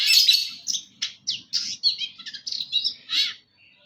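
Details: A Long-tailed shrike from East Java delivers a varied full isian song, a rapid series of separate sharp chirps, squeaks and short rising whistles, about four per second, ending in a faint note.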